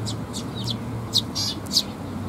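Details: Young sparrows at a Tenmangu shrine on 16 May 2021, coming to be fed, give sharp high chirps in a loose series, two louder notes near the end, over a low hum.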